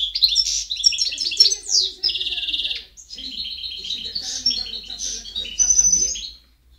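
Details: European goldfinch in song, 2010, delivering rapid tinkling phrases, a rolling buzzy trill near the two-second mark, then more bright chattering twitters and clear whistled notes.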